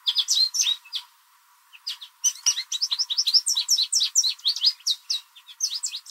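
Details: Loud American goldfinch song from a backyard in spring, thought to be a mating song: an opening burst of sharp chirps, a near-silent second, then a long, fast run of bright twittering notes.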